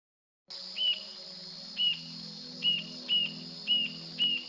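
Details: Rufous-tailed jacamar singing at daybreak: six thin, high whistled notes, each brief and slightly slurred, repeated about once a second, over a steady insect drone and a low continuous hum.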